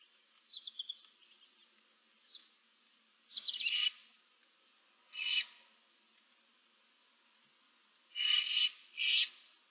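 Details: Barn owl owlets, seven chicks with an adult in a nest box on 15 March 2024, give harsh rasping hisses in separate bursts, some paired, spaced over several seconds with quiet gaps between.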